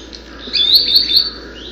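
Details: A Green Sandpiper gives three clear, high whistled notes, each sweeping upward; its calls typically rise and come in irregular numbers of notes.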